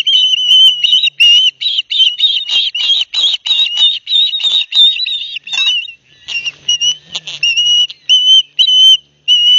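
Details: Nest of ospreys at Barnegat Light, New Jersey, filmed by live cam on 9 September 2021, two young each getting a large fish from their father. Rapid strings of sharp whistled chirps give way after a brief pause to spaced, drawn-out whistles.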